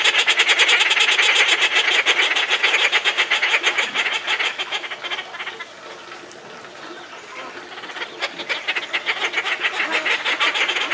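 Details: Inca terns calling incessantly in captivity at Tama Zoo, Japan, July 2019: dense harsh, rasping chatter repeated about three times a second, briefly dropping softer mid-clip before building again.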